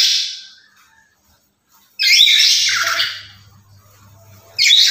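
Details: Black-capped lory, a bird that calls every day and serves as a lure for other lories, gives three harsh, grating screeches at uneven intervals, each fading into rough squawks, over a constant low hum.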